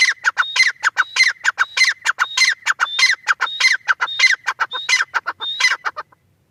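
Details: Teetar, a francolin, giving a continuous run of scratchy clicking phrases, each capped by a short clear whistle, repeating steadily at under a second apart for six seconds, then stopping.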